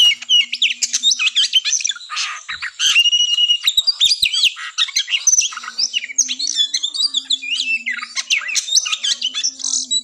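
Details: Fighting Oriental magpie-robin song used to stir a contest bird's breeding drive; long stream of sharp high whistles, trills and scratchy chatter pouring out without pause, over a faint steady low hum.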